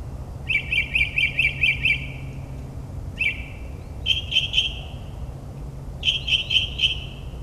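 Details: At night in New Jersey suburbs a mockingbird imitates other species: a fast run of about seven sharp chirps, a single slurred note, then two bursts of three or four bright chirps spaced about two seconds apart, faint hum below.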